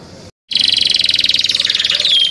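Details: Young kept canaries singing: after a brief silent gap, a fast, loud, even buzzing roll of high trilled notes runs steadily to the end, with a thin whistle sliding in near the close.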